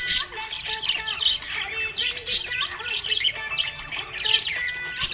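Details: Budgerigar chattering happily with loud grating squawks and fast warbled chirps, repeated in clusters, over background music with sustained notes.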